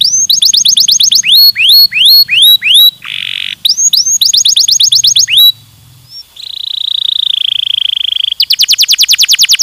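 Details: Stimulating song of a canary, made of changing tours: rapid downward-sweeping whistles, a short harsh buzzy burst, a long sustained whistled trill, then a very fast, high, even trill to finish.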